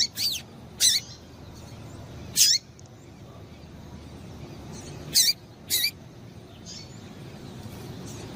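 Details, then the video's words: Short, sharp high calls of a female double-collared seedeater meant to stir up the male, about six notes in loose pairs and singles, some ending in a falling slur, over faint background hiss. "Piado de Fêmea de Coleiro Quente para Esquentar Coleiro tui tui"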